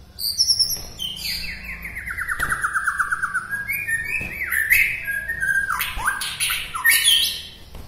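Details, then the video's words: White-rumped shama from Bahorok near Medan, a local bird whose song is said to rouse other shamas: rich varied phrases of high whistles, long descending trills and rapid rising and falling slurs, loud and continuous. "suwara murai batu Bahorok ini mengangkat emosi murai batu lain"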